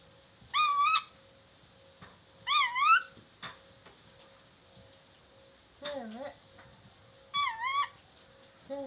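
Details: Chattering lory on a recording used for teaching it to talk, giving four loud, buzzy, wavering calls at uneven intervals, one dipping lower in pitch, over a constant faint electrical hum.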